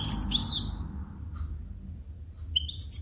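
A European goldfinch sings bright, tinkling twitters in quick high bursts at the start and end, with a brief pause between, over a faint low hum.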